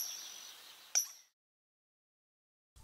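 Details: Coot gives its short, explosive, far-carrying, metallic call, one note with a sharp attack over faint hiss; this call often reveals birds hidden in waterside vegetation. Eurasian coot.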